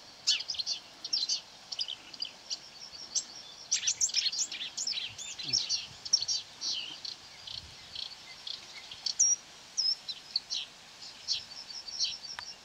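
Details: Lured to playback from a hung mobile phone, a Marsh warbler near quarry workings on 9 May 2020 sings long rambling phrases of high chirps, trills, whistles and buzzes while trying to outsing the recording.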